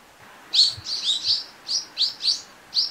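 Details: Brown-eared bulbul giving a rapid run of loud, shrill, downward-slurred chirps, about three per second, clear against a quiet background.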